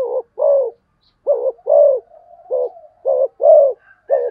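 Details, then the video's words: Spotted dove giving fast cooing, a quick series of low hollow coos in short and long pairs, with a faint higher whistle near the end. "cu gáy thúc gù tốc độ"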